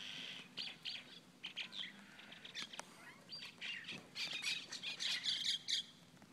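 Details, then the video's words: Mynas in a large fight squabble with harsh, grating squawks and chattering bursts that rise into a frantic flurry of raspy calls as the fight grows; a person's startled voice is briefly heard. "Myna Bird Scrap"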